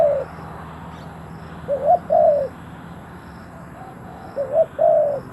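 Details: Decoy spotted dove luring wild doves: soft hollow coos, each a quick pair of notes followed by a drawn-out fuller note, two phrases about two and a half seconds apart against quiet low background noise.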